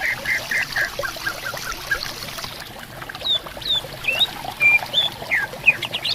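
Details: Greater green leafbirds answering each other in a bamboo forest by a river, clear water trickling. Rough rhythmic pulses first, then varied clear high whistles, short slurs and a level held note, with gurgling water throughout.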